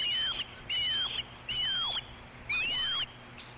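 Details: Osprey at a ranch nest, 22 August 2013 in the evening, one bird chasing another off before a fish arrives; four loud, drawn-out whistled notes, each level then dropping, spaced about once a second.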